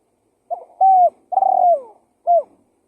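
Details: A single complete spotted dove phrase used to lure wild doves: faint introductory notes, an even coo, a longer rough coo falling away, then one short terminal coo, over quiet background.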